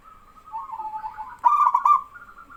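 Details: Soft, wavering coos from other doves lead into a loud, stuttering, rolling phrase from a local male zebra dove. His active singing stirs other doves to answer.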